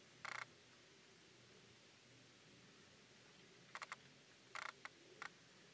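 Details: A cactus wren exiting its nest at Red Rock Canyon NCA near Las Vegas, Nevada, gives a few short, harsh rasping notes, one early and then a scattered cluster a few seconds later, over a quiet background.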